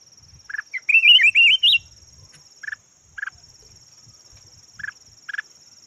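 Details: Decoy red-whiskered bulbul, yellow form, delivering one fast rolling whistled phrase, followed by paired short clipped notes repeated every second or two, with faint low knocking and a steady high whine.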